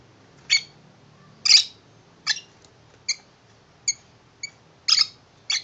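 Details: Tame male lovebird kept as a pet, chirping happily indoors about his new shoe box house; a series of seven short high chirps spaced unevenly, some doubled.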